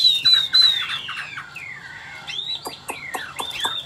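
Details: An old wild-caught Chinese hwamei with a wild voice sings a loud, varied run of rich slurred whistles, rising and falling, with quick chopped notes in rapid succession; faint background hum.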